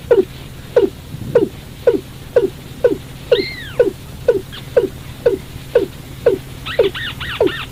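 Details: Night trapping lure of a watercock: a long, fast series of low descending notes, about two per second, with one arched two-tone call midway and a burst of higher arched calls at the end.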